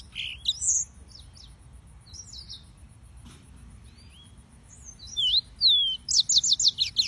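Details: Yellow-fronted canary with scattered high chirps and a few whistled slurs. A quiet stretch follows, then a louder burst ends in a run of four quick, rapid, sharply falling notes.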